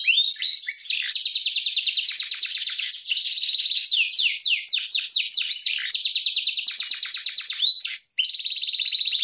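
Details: Canary training song, loud and continuous: rapid trills of repeated notes, sweeping upward and downward slurs, and buzzy rolling phrases changing every second or two, all high-pitched and clean with no other sounds.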